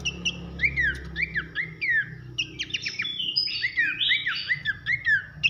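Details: Horsfield's babbler, called pelanduk semak, delivering loud whistled 'nembak nyiul' song for masteran: evenly spaced falling whistles about every half second, then a denser tangle of whistles and buzzy trills, low hum behind.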